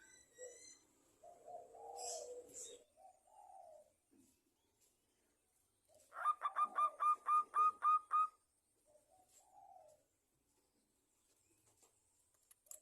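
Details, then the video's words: Zebra dove singing as a lure for other doves: scattered soft low coos, then a quick burst of about seven bright, ringing staccato notes, followed by more low wavering coos. "Perkutut lokal gacor juara nya pancingan perkutut agar bunyi"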